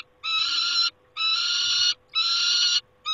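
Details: At the nest, a peregrine falcon screams in a string of harsh, buzzy wails, each lasting under a second and separated by brief silences, about one per second; a low steady hum runs throughout. Recorded 28 August 2021.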